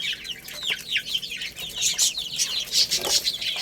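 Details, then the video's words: Chirping chicks at play and feeding: loud, high sliding peeps, some dropping sharply in pitch, pour out in an uneven, overlapping rush. "Cute Little Chicks Chirping Sounds"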